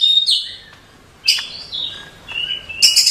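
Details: Female Oriental magpie-robin calling to a male at night, sustained high whistles broken by a pause, then sharp rising notes and a final burst of high, scratchy phrases.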